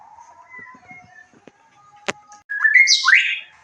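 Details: White-rumped shama lure song for stirring a bird to respond and sing: faint soft warbling and a sharp click, then a loud phrase of slurred whistles climbing into a high, scratchy trill.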